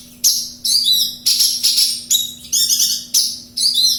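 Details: Javan bush lark from Kediri singing vigorously: a string of short, loud, scratchy high trills and chirps, roughly one burst per second, each starting abruptly and fading, over a faint constant low hum.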